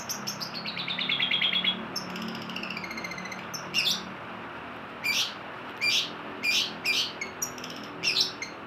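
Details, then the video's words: Long-tailed shrike singing busily, opening with a run of fast, falling high notes, then a short trill and a string of harsh, rasping bursts spaced about a second apart, mixed with thin high tweets. "cendet pilis gacor"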